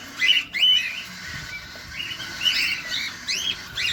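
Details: Feeding cockatiels heard up close give rapid, sliding chirps, some sharply rising, in loose runs with brief gaps and a background hiss.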